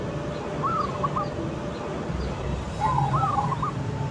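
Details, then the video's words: Zebra dove of a local strain with a big voice, singing in the open air: two clear bursts of quick, bubbling, trilled cooing notes roughly two seconds apart over a constant low-pitched background hum. "Perkutut Lokal Suara Besar Manggung di Alam Terbuka"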